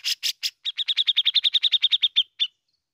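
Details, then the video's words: Grey-cheeked bulbul (cucak jenggot) singing in besetan and ngepik style: three harsh rasping bursts, then a rapid run of about fifteen sharp, evenly spaced chipping notes, ending with one more chip. "BESETAN DAN NGEPIKNYA OKEH BANGET ,REKOMENDED UNTUK PANCING BUNYI .CUCAK JENGGOT GACOR"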